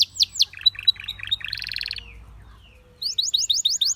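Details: Canary song opening with quick downslurred chirps and clipped notes, then a buzzy trill, a brief quiet pause, and a run of six rising, repeated chirps.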